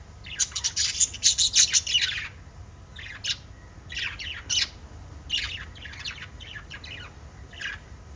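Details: Five pet lovebirds in a family group chirp in shrill, scratchy bursts, a busy flock of overlapping calls.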